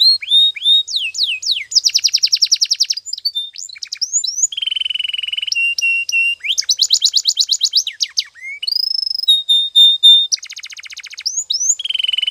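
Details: Singing canary for training, switching constantly between swooping whistles, fast buzzy rolls, low steady tones and clipped chirps in a varied, continuous phrase.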